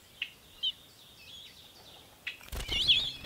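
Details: Ruby-throated hummingbirds battling at feeders: three sharp, high chip notes at uneven intervals over faint, repeated, twisting whistles from another bird. A loud burst of broadband rustling ends the recording.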